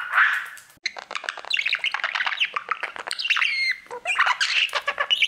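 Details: Pet male budgerigar warbling to his mirror: a buzzy opening note, then a fast stream of clicks, chirps and whistled squeaks with brief pauses.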